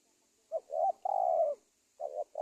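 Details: A spotted dove's cooing, used to lure wild doves for trapping: a short note, a wavering coo and a long loud held coo, then the next phrase beginning.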